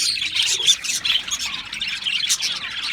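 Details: Australian parrots in a group giving busy high chirps and warbling chatter, many voices overlapping into a steady twittering stream with brief louder squeaks.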